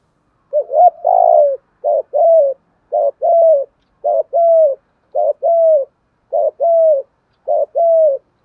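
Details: A spotted dove (Spilopelia chinensis) coos, used as a decoy to stimulate cooing. It gives soft, low two-part coos, a short note then a longer hollow one, repeated about once a second, with no other sounds.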